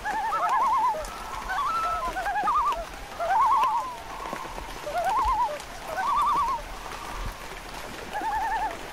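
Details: Loons giving a chorus of quavering, rapidly wavering tremolo calls, several voices overlapping at different pitches, bursts repeating every second or two over a soft patter like rain.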